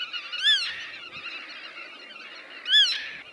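Black-tailed godwit gives two short, nasal, arched calls about two seconds apart over a steady wash of distant bird chatter.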